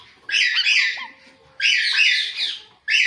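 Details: Ringneck talking parrot (rose-ringed parakeet) giving loud, harsh, grating squawks in two long bursts about a second apart, with a third starting at the end and faint thin whistles between them.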